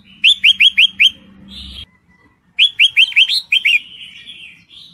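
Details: Red-whiskered bulbul female, in breeding condition, calls for a male, kept as a lure. Bright downslurred chirps come fast in runs of five, a short gap, then a second run of six ending in a buzzy trailing note.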